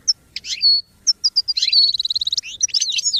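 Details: Goldfinch song for training purposes: a few separate bright chirps and a whistled note lead into a long, fast, buzzy trill and excited tumbling twitter.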